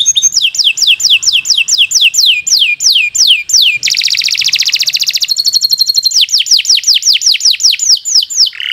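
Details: Canary in long, continuous singing, used to tutor young birds: series of fast downward-sweeping whistles at about five per second, a harsh buzzy rattle, then a fine rapid trill, before the falling whistles return.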